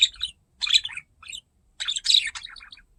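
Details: A curious pet budgie near a camera utters a few short, scratchy, high chirping bursts separated by brief silences.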